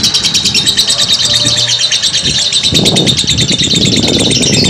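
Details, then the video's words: Long ngekek chatter of a lovebird, recorded to help other lovebirds adapt and build mental strength: rapid high, rattling chirps pour out nonstop, while muffled low thumps and rustling rise in the second half. "simuasi lovebird ngekek panjang"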